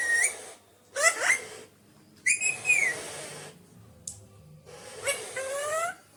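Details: Whistled and wavering calls from a naughty pet Alexandrine parakeet, several rising harmonic notes and a long arched whistle with brief pauses, plus a short click.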